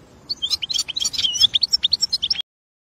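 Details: European goldfinch in the wild, delivering a quick jumble of high, tinkling, chattering notes for about two and a half seconds, rhythmic and bright, ending abruptly in silence.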